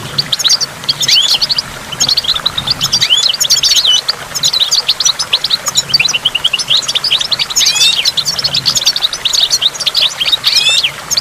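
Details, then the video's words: Goldfinch song for stimulation, recorded beside a waterfall with water drops: an unbroken, busy chatter of high twittering notes, with fast rising trills near the end and a steady low hum. "in the waterfall stimulates goldfinch and water drops"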